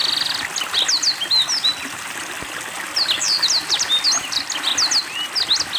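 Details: Caged Black-throated Canary in full song during water therapy: quick bursts of high swooping whistled notes and a short buzzy trill at the start, pausing near 2.5 seconds before resuming, with constant trickling water underneath.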